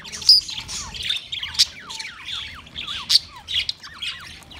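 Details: Budgerigars, Australian parrots, recorded 13 March 2024: clear series of falling whistled chirps, each sliding steeply downward, mixed with buzzy squawks in quick bursts and brief gaps between them.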